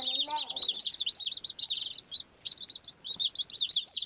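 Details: High, piping chirps from baby chicks come in quick bursts with a short pause midway. A low rising harmonic note opens the clip.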